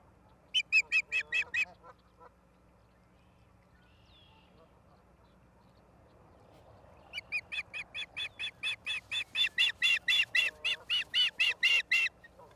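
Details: Osprey at its nest in Charlo, Montana, recorded on 17 August 2023 at 16:04, gives a short run of sharp, high chirps, then after a pause a longer, steadily repeated series of piercing notes, about two per second, over faint background hum.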